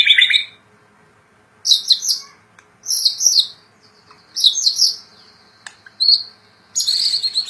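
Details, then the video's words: White-rumped shama, a kept bird singing actively, delivers bursts of high, sharp, twittering chirps in short clusters about every second and a half, with brief pauses and one thin sustained whistle between them. "Murai Batu Gacor"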